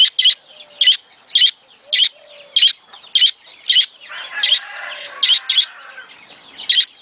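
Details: Budgerigar sound used to encourage budgies to mate: bright, clipped, high chirps come at an uneven, roughly half-second pace over low warbling chatter, which swells into a busier burst midway.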